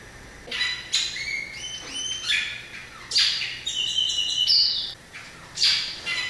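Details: Variable oriole song of sweet, ringing whistles and sliding notes, several linked phrases with held pure tones, then a final sharp burst; faint constant background hiss.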